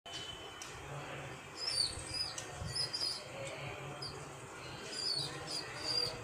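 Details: Young pigeon chicks give thin, high squeaky peeps in short scattered bursts, a few each second, over a steady low background hum, in the morning.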